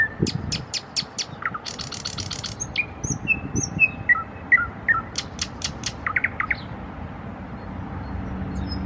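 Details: Nightingale song in trills: sharp repeated clicks, a fast rattling burst, then a series of clear, evenly spaced whistled notes and more clicks, followed by quieter rattles, over a soft low rumble.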